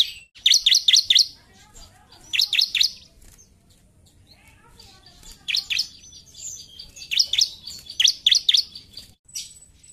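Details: Vigorous narung song of a bar-winged prinia: five separate bursts of three to five sharp high chirps, each burst about a second long, spaced by quiet gaps of roughly one to two seconds.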